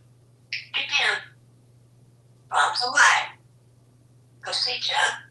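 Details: Talkative pet African grey parrot living in a home in Texas. It speaks three short two-part phrases, about two seconds apart, with raspy, human-like voice quality.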